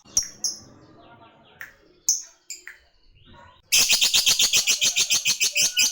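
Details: A lovebird fighter calling a rival: a few scattered sharp chirps, then a sudden dense, shrill, rapid chatter in the 'ngekek' style that runs on steadily to the end.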